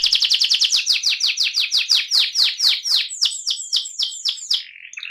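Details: AF canary in rolling (ngerol) song. It starts with very rapid high notes, slows to evenly spaced downward sweeps about two per second, and finishes with a lower fading warble.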